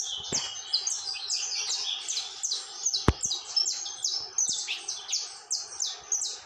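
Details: Continuous song from a saffron finch, a tumbling series of high, sweet, slurred chirps delivered quickly and without a break. One loud click is heard near the middle.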